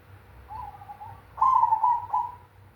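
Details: Zebra dove of the black cemani type singing in the big kung style: a soft mid-pitched coo, then a louder, longer trilled coo and a short final note, against a low background hum.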